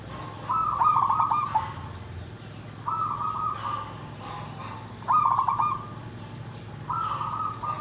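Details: Zebra dove giving a big, dry nggandem gedhe garing song: four phrases, each a burst of rapid rolling notes flowing into a steady mid-pitched coo, spaced about two seconds apart over a low humming background.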